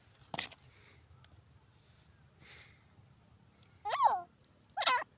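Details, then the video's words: A francolin gives two loud, grating, wavering notes near the end, close together, after a sharp click and a few seconds of quiet background hum. "teetar ki awaz sound teeter voice"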